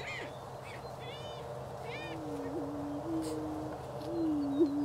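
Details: Greater prairie-chicken in Wabaunsee County, Kansas, spring 2010; a quieter low, even hooting tone runs through the second half, while harsher, higher calls of other birds sound over it near the start.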